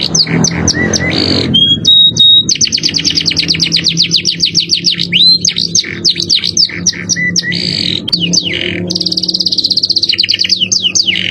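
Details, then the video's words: Canary singing in the 'cengkok mewah' luxurious style for masteran training: rapid high trills, a sustained pure whistle, long evenly repeated chip rolls and a buzzy rattling phrase near the end. "Masteran kenary cengkok mewah suara jerih"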